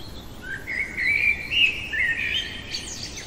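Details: Common blackbird singing late at night, one continuous mellow phrase that rises into a sustained warble, then closes with a thin high squeaky flourish.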